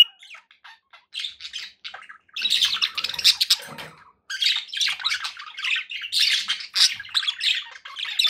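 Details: Pet budgies start with scattered soft chirps, then break into loud, steady warbling chatter of harsh buzzy notes and squawks that runs to the end.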